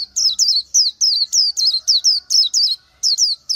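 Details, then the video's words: Short, dense burst of Oriental white-eye song: high, sweet, falling chirps repeated about three per second with hardly a pause. "Chim hót hay Vành Khuyên họng vàng đông dương | นกแว่นตาขาวสีทอง| Oriental White-eye"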